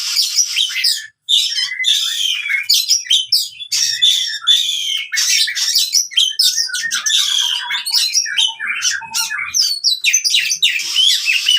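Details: Oriental magpie-robin fighting song for training birds that have stopped singing: continuous dense stream of harsh chattering, scratchy and whistled notes with almost no pauses.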